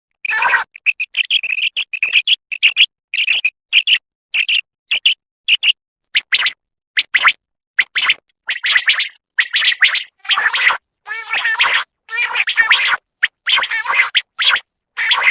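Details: Singing quail, locally called batair: a long sequence of clipped, high chirping notes repeated in short runs, later turning into harsher, rattling phrases, with steady silent breaks between them.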